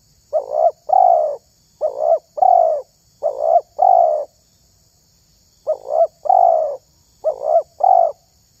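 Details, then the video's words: Spotted dove calling to lure other doves, a series of mellow, hollow coos in paired and triple phrases, pausing mid-clip before resuming, clean background with faint steady high hiss. "SUARA TERKUKUR INI SANGAT ISTIMEWA"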